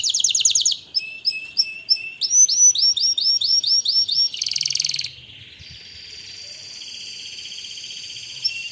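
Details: Canary singing a varied series: quick trills, then rising slurred whistles repeated about four times a second, a buzzy burst, and a long thin sustained whistle to close.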